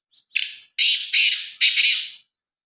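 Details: A large Sindhi black francolin, kept by its owner and in fine form, calls loudly: a brief opening rasp, then three drawn-out, grating, buzzy notes in quick succession against silence.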